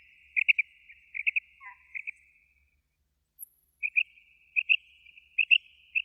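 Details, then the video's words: Common quail (batair) calling: short high bursts of three quick notes, repeated several times with brief pauses between groups, against an otherwise quiet background. "Batair ki Awaz , Batair Sound vol 41, Common Quail Sound 2020 |CALL COMMON QUAIL (Coturnix coturnix)"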